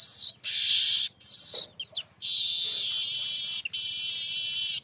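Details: Singing baya weaver, known locally as burung manyar, in continuous song for luring: wheezy buzzes broken by short scratchy chatter, then one long steady hissing buzz held for seconds.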